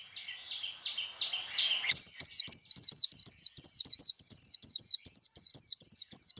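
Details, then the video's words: Japanese white-eye, 'líu đấu' competition song used to coach a newly caught bird: faint sliding whistles first, then a fast, even train of loud, high, hooked whistle notes running to the end. "Vành khuyên líu đấu"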